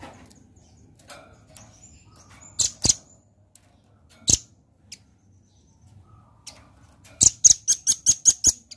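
Sharp, very high chipping notes, a few spaced singly, then a quick run of about seven ringing chips in under two seconds; otherwise quiet.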